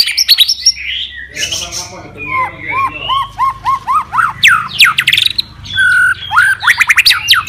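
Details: White-rumped shama singing a fighter challenge to provoke rivals, with a string of repeated arched whistles, loud sweeping slurs and bursts of fast chatter.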